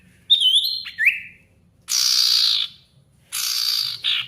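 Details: Ashy tailorbird lure recording, a bird singing hard to draw out rivals: one bright whistled note with a quick upturn, then two long harsh buzzing rasps separated by silence.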